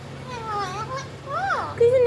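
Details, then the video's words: Alexandrine parakeets talking to each other: softer wavering calls, then one louder arched squawk that rises and falls, ending in a brief steady note. "Alexandrine Parrots Talking Each Other"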